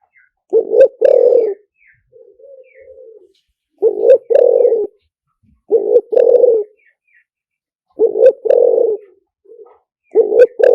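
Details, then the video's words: Spotted dove lure song of the liw tan type: mellow two-part coos repeated about every two seconds, with a fainter dove cooing softly between phrases. "เสียงต่อนกเขาใหญ่หมานๆ, เสียงนกเขาใหญ่ ต่อเข้าเร็ว เสียงหลิ่วตัน"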